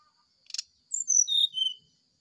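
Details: Short sharp click, then an oriental magpie-robin in the morning whistles a descending flute-like sulingan phrase of three or four drawn-out notes over a faint steady tone.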